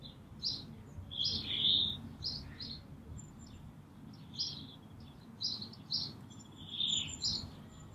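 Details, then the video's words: Brambling at Green Moor, 24 March 2019, calling and singing: scattered high, sharp chirps and a few slightly buzzy notes at irregular intervals, quieter against a soft, steady low rumble. "Brambling Calling/singing"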